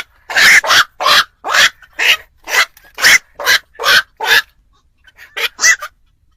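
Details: Night trapping lure of black-crowned night heron for Tet: about ten evenly paced harsh croaks, roughly two per second, then a short pause and a few softer, quicker calls.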